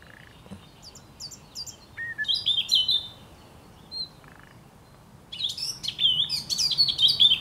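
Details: Thrush nightingale (Luscinia luscinia) singing in Poland on 8 May 2022: rich, loud phrases of sharp whistles, clicks and rattling trills, broken by short pauses, with higher chirping notes between phrases.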